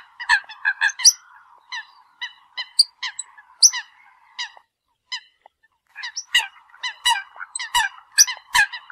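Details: Eurasian coots calling to gather the flock; a busy series of short, sharp, clipped notes, sometimes doubled or in quick clusters, with brief pauses, over a faint steady hum.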